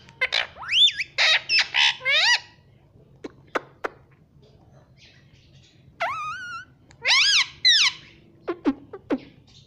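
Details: Green rose-ringed parakeet kept as a talking pet indoors: a fast cluster of loud, harsh, bending syllables, then clicks and a pause, then more wavering, harmonic phrases and short ticks near the end.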